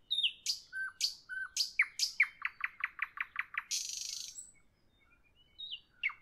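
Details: Evening singing nightingale: loud downslurred whips alternate with low flat whistles, then a fast even run of repeated chirps before a harsh grating rattle; after a pause, thin whistled notes resume.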